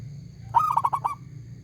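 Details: Local zebra dove, an active singer with a large, clear voice. A single brisk phrase of five or six bouncing coos, the opening note strongest, with quiet low hum behind it.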